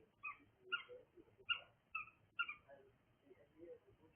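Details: A cockatiel repeats short bright chirps, five of them roughly every half second, with softer lower squeaks in between against a low background hum.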